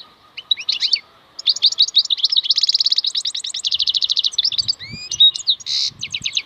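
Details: Wild European goldfinch singing a long, fast run of twittering, buzzy notes high in pitch, with a dense trilled stretch in the middle, brief rising whistles near the end and a final harsh burst; faint low rustling below.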